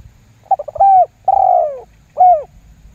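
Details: Spotted dove lure call in the lambung guk style, used in bird trapping to make other doves call back: quick stuttered notes, then a level coo, a long falling coo and a short arched final note.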